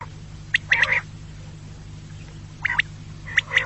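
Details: Quail call used as a hunting lure: short bursts of sharp, chirping notes in quick clusters, a group near the start, another later and a final pair, over a steady low hum.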